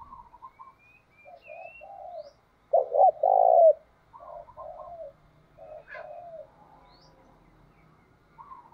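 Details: A captive Vietnamese decoy spotted dove lures wild birds with a loud, rasping coo: a quick doubled note then a drawn-out note. Quieter coos from other doves come before and after it, along with faint thin high whistles.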